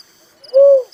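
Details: Single smooth, level hollow coo of a little cuckoo-dove, swelling in quickly and tailing off, with faint high insect notes behind.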